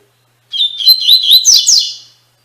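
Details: Tui Tui Fibra song of a coleiro (double-collared seedeater), played to teach captive birds: a fast, continuous phrase of high warbled whistles and slurred notes lasting under two seconds, clean with no background.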